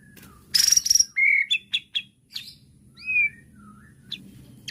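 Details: White-rumped shama provoked by a bait sound: a harsh buzz, then clear whistled notes, some steady and some sliding down, with scattered sharp chips between phrases.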